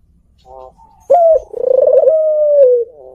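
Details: Kelantan-type spotted dove, a kept bird, cooing. Faint human voice first, then one sharp note leads into a long, warbling, mellow coo that flattens and falls away at the end.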